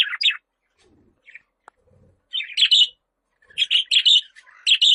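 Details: Budgerigar giving short, scattered bursts of bright, scratchy chirps separated by pauses, the later bursts clustered into quick warbled runs; the background is otherwise quiet.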